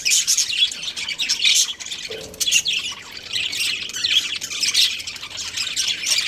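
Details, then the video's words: Budgerigar breeding pair giving continuous chirping, a busy stream of rasping, squeaky warbled notes with brief louder squawks, slight dip in activity near the middle before chatter resumes. "Amazing budgie chirping sounds | budgies breeding pair"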